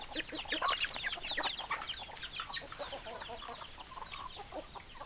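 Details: Many hens clucking together, a dense chatter of short, sharp, overlapping clucks and squawks repeated rapidly and irregularly, some rising notes standing out over a busy flock.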